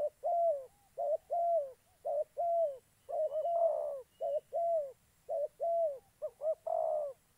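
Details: Spotted dove decoy used for trapping in Gia Lai, Vietnam: fast, regular series of short and drawn-out falling coos, some wavering and rougher, with more than one dove seemingly calling in overlap.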